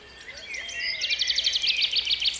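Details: Common chaffinch song in May 2017 in Strzelecki Park: a bright, rapid rattle of repeated notes that speeds and descends slightly, closing with a short emphatic flourish, with faint chirps from other birds behind.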